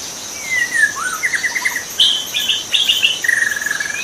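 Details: White-rumped shama singing in the wild in its natural habitat: clear whistled phrases, some long and level, some sliding, mixed with rapid warbled notes, over a steady high insect drone.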